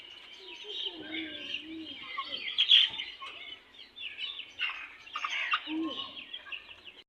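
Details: Young chicken chicks scuffling together, newly added to a group, giving a jumble of high cheeping peeps with some scratchy, overlapping notes and brief quiet gaps.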